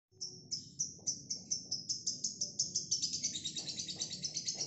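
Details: Female lovebird, kept as a single fighter bird, giving a long ngekek performance: rapid, shrill, chattering notes pulsing about three to four times per second, growing denser and harsher toward the end, over a quiet low background rumble.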